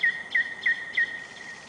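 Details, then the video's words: Nightingale singing in Novosibirsk city on a July night, recorded by camera: four loud, clear whistled notes repeated about three times a second, fading afterwards. "песня новосибирского соловья"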